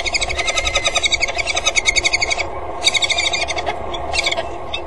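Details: Peregrine falcons mating on the gutter edge of the Axel water tower on a February 2013 morning, after the female calls and the male flies in. Fast, harsh, pulsed chattering runs in bursts with short pauses.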